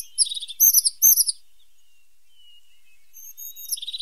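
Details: Pointed, or sharp-nosed, tit singing bright high twitters in quick clusters, then a pause, a thin rising whistle and a fast buzzy trill at the end.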